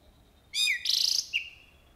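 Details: Jalak uret starling in full isian singing: one short loud phrase of a falling slurred whistle, a rapid buzzing rattle and a clipped rising note, then quiet.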